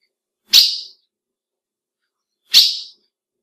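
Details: Female ultramarine grosbeak calling to excite males: a pair of crisp, high, explosive chip notes spaced two seconds apart, each brief and quickly fading, in quiet surroundings.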